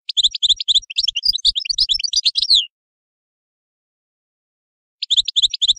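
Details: European goldfinch singing a rapid, tinkling twitter of high chirps and trills for about two and a half seconds, then silence, then a short burst of repeated chirps resuming near the end.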